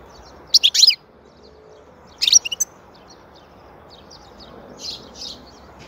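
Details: European goldfinch song; two bursts of rapid, tinkling twittered notes, high and bright, separated by a pause, with fainter distant chirps afterward.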